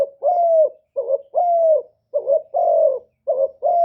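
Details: Spotted dove used as a decoy, calling in a one-ending style to lure wild doves: soft coos alternating short wobbling notes with longer level hoots, closely spaced, recorded with no other sounds.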